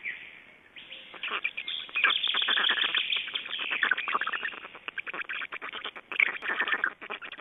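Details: During nest changeover and feeding, Estonian black storks on 29 May 2012 give a steady, dense stream of rapid grating pulses, several per second, swelling and fading for most of the seven seconds.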